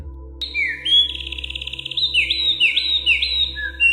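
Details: A Eurasian wren at 6 a.m. sings a loud, high burst of rapid trills and sliding notes that runs without a break, over a faint steady low hum.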